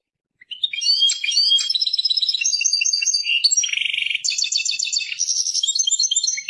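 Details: European goldfinch, presented as Persian goldfinch song, delivering a fast, liquid twittering song of tinkling notes, buzzy trills and a dense rattled burst midway. No other sounds are heard.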